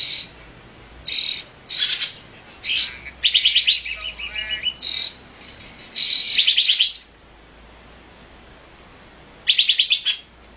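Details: Olive-winged bulbul uttering scattered bursts of dry, rattling chatter, with several clusters in the first seven seconds, then a pause and one last burst near the end.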